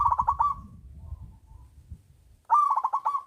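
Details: Local zebra dove singing loudly to lure lazy doves into song: the tail of one pulsed cooing phrase over low rumbling noise, then a pause, then a fresh rolling phrase of quick throaty beats.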